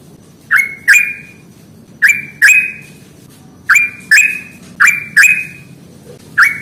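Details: Yellow-vented bulbul in a wild, fighting style of song used to stir reluctant birds into singing: bubbly notes sweep up and level off, given in close pairs about every second and a half.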